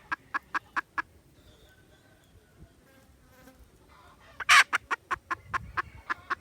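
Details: Junglefowl recorded 16 December 2021: quick clucks, then a quiet stretch of faint rustling, then a loud harsh burst followed by more clucks at a rapid pace.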